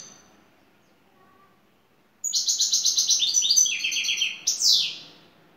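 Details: European goldfinch lead bird from Turkey delivering şakşaklı song: after a quiet lead-in comes a rapid clicking trill that steps down in pitch, ending with a rising-then-falling slurred note.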